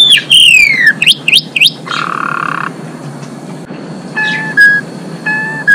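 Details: Female Asian pied starling in full energetic song, meant to raise males' breeding drive: a falling whistle and quick looping notes, a harsh flat buzz, then clipped steady whistles with pauses between.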